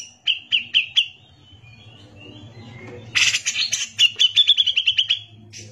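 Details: Grey-cheeked bulbul, a singing bird used as a tutor for other songbirds: a few sharp whistled chirps spaced about a quarter second apart, a pause, then a loud harsh burst running into a fast series of short chattering notes.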